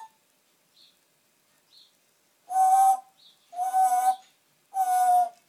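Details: Pet parrot chatting to himself while left alone indoors, a mimic whose repertoire includes sayings, coughing and farting noises; faint squeaks, then three loud, nasal, harmonic voice-like notes about a second apart.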